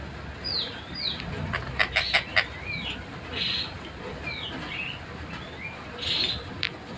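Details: Tutor recording of a collared kingfisher, known locally as tengkek buto, singing clearly and rapidly: descending high whistled notes and harsh buzzy bursts, with a quick run of loud sharp clicks around two seconds and steady faint background hiss.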